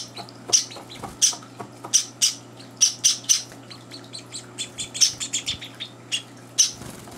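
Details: Kept Java sparrow chicks at mealtime, older birds joining in; irregular, softer high chirps and squeaks scattered through the clip, with faint rustling.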